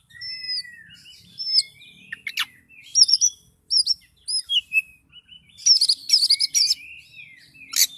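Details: In emotional 'kicau door' song, an Oriental magpie-robin gives long thin whistles, then clusters of bright, bouncing high notes repeated in quick bursts, ending with a sharp harsh burst. The background is quiet.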